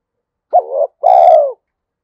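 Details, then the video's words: Spotted dove, 'giọng thổ' type voice suited to luring wild birds in the forest: one crisp coo, an abrupt rising note and a longer resonant note that slowly falls. "cu gáy giọng thổ Thúc Đấu giọng hợp rừng khi đi gài"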